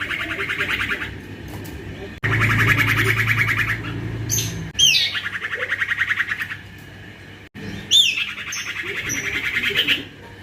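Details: Noisy young male common iora delivers repeated bouts of fast rattling chatter, some introduced by sharp high downslurred notes. Bouts last one to two seconds with short gaps. A low humming background is audible.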